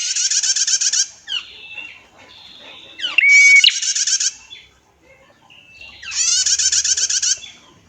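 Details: Clear-voiced female prinia producing a long trill for training songbirds. Three fast buzzy rattling trills, each about a second long, are separated by short high whistled notes in a quiet setting.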